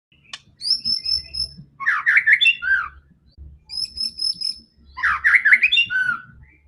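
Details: White-rumped shama in aggressive fighting song, used to provoke other shamas: high thin trills alternate with loud jumbled warbled phrases, in bursts separated by short pauses.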